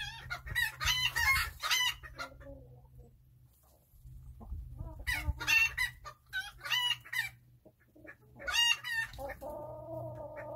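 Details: Chickens in a backyard coop chattering with strings of grating clucks and squawks in several bursts, a low steady hum underneath, and a sustained buzzy tone near the end.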